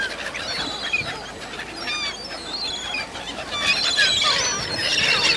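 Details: Gulls crowding to be fed at Cramond, near Edinburgh, give a busy chorus of short, quavering, slurred cries that thicken and grow louder toward the end, with a constant hiss of wind and water behind.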